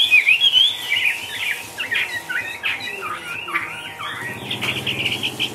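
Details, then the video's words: Chinese hwamei kept in a cage sings a busy, tumbling warble of quick whistled and scratchy notes, rising and falling without pause, over faint background noise. "HM 366 ngũ trường xòe siêu mỏ tung tăng nhảy múa"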